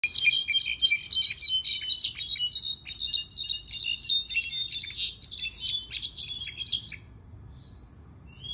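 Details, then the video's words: Mexican goldfinch singing in the style called cabresto: a loud, fast, continuous twittering of high chirps and trills for about seven seconds, then a pause with a couple of soft thin notes. "Jilguero mexicano cabresto"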